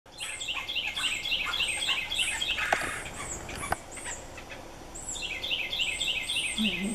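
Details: Red-bellied woodpecker fledglings being fed by adults: rapid series of repeated rasping, chattering notes in bursts, with a pause midway and clicks, then the begging chatter resumes; a person speaks nearby.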